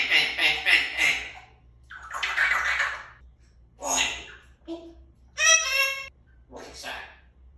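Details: Three-year-old pet African grey parrot raised as a human, talking indoors: a run of speech-like syllables, a squeaky rising squawk, and a bright harmonic whistle-like call around the middle, with low room hum throughout.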